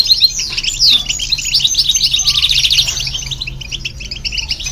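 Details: Goldfinch and hybrid singing to spur young birds: a loud opening of slurred whistles and buzzy trills, then a steady scatter of high twittering notes over a soft low hum.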